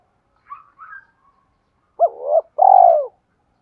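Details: Spotted dove coo meant to excite and train decoy birds. Two faint high chirps open the clip, then comes a loud two-part coo: a short rising phrase followed by a longer, slowly falling hollow note.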